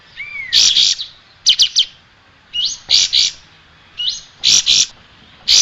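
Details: Striated grassbird song recorded as tutor material for training cage birds: a rising whistle, then loud buzzy high bursts in doubled and tripled groups, separated by short pauses.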